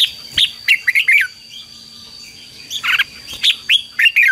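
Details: Red-whiskered bulbul decoy song used for calling wild birds and stimulating captive birds: short bright whistled phrases, a long quiet gap, then a few more fluty, slurred notes, over a steady high tone.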